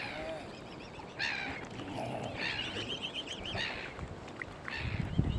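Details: Mute swan cygnets at Kinnego Bay, Oxford Island Nature Reserve, on Lough Neagh in County Armagh, Northern Ireland: thin wavering high peeping calls in short bouts over lapping water and a low rumbling background.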